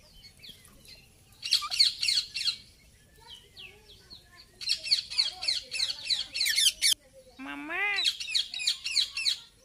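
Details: Talking Indian ringneck parakeet alternates bursts of harsh, buzzy chatter with quiet gaps, then a brief lower, rising, wavering note before more raspy squawking.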